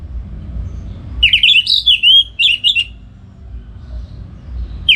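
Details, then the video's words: Caged orange-headed thrush from Singaraja, North Bali, in morning song meant to train other songbirds; a continuous run of varied whistled and warbled notes lasting about two seconds, faint low rumble around it. "Pagi Hari Hari ANIS MERAH Ngeplong Gacor Untuk Pancingan & Masteran Burung Dirumah"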